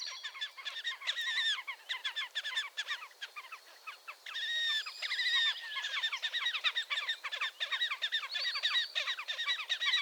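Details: Continuous chattering and trilling from wild Slavonian grebe at Gavieze, Latvia, May 2024, dense overlapping rapid notes with a louder squealing stretch midway.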